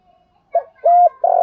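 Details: A fragment of spotted dove cooing for decoy training: a short soft note, a steady low hoot, then another hoot cut off abruptly at the end.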